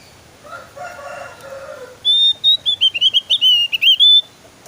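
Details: Javan grey-throated white-eye song used to prompt captive birds to sing: a lower, harmonic call first, then a loud run of bright, high whistled notes that rise and fall, about a dozen quick phrases in two seconds.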